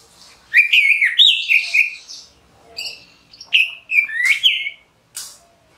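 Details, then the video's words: Orange-headed thrush singing, a bird of shady damp wooded areas of the Indian Subcontinent and Southeast Asia: rich warbled, slurred whistled phrases separated by brief pauses. "Orange-headed thrush Call | Voice | Song | Signing"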